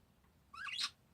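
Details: Parakeet giving one brief, harsh chirp that sweeps upward and ends in a bright, buzzy burst, with a quiet background.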